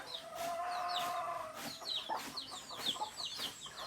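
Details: Native chickens, roosters and hens: a sustained, steady tonal call opens, followed by rapid high chirps and scattered clucks from several birds close together.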